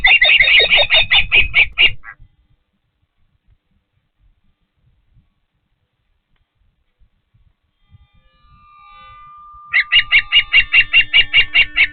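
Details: Osprey at its Patuxent River Park nest while feeding gives an intense rapid whistling chatter, falls silent for several seconds, then resumes with a regular series of ringing chirps.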